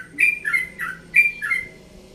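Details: Relaxed pre-dawn singing by a yellow-vented bulbul from Bekasi, one and a half years old: rich, gurgling two-note phrases, rising then falling, delivered in a rapid burst.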